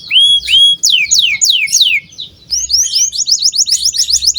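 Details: A gacor canary, one in full steady song, serves as a training lure for young birds. Paired rising whistles lead into looping downward sweeps, then a fast run of repeated rising chirps.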